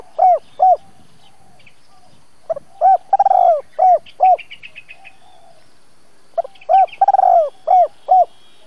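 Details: Spotted dove kept as a trapping decoy, giving 'double voice' calls to excite wild birds; two phrases of short mellow coos around a trembling, drawn-out rolled coo, with brief high twittering from other birds between them.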